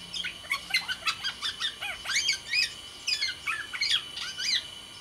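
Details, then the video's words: Black-naped oriole of Sumbawa stock in spirited song: rapid strings of sharp, high chirps and looping whistled notes, delivered in steady bursts with brief gaps. "suara burung kepodang sumbawa GACOR DOR"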